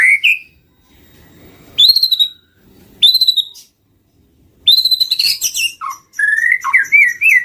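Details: White-rumped shama lure song: clear whistled notes, a rising slur and steady high whistles separated by pauses, then a burst of rapid chattering notes and wavering whistled phrases.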